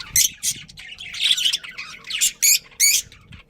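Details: Pet budgerigar chirping: a run of short, harsh, high chirps and squawky notes in quick bursts, several loud sharp calls near the end, with little background noise.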